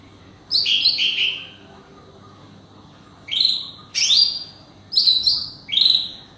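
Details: Wild leafbird calling back and forth with forest birds: bright, clear notes sweeping down from high pitch in short bursts, a two-part phrase, then four brief rising-falling calls over the last three seconds.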